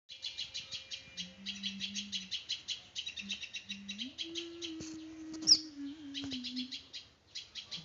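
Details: Small bird chirping: quick bursts of high, thin chirps in rapid runs with brief gaps, fairly quiet, over a faint low steady hum.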